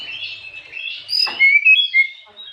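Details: Afternoon song of an Oriental magpie-robin played to provoke other birds: a warbling high whistle, then several clear, loud, slightly rising whistled notes in quick succession.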